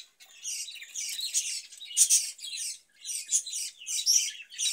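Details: Summer recording of a caged budgerigar, with cucumber given for the heat. Bursts of busy, grating warble with a short silent gap near the three-second mark, then more twittering.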